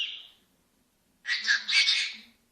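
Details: Senegal parrot talking: the tail of one sound, a pause, then a rough, squawky, garbled burst of about a second that breaks into raspy pieces.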